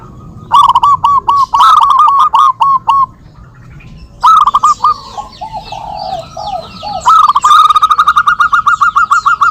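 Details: Zebra doves of a local strain trading song phrases in a lure recording: staccato cooing notes, loud at first, then overlapping with a lower answering series and high chirping from other birds.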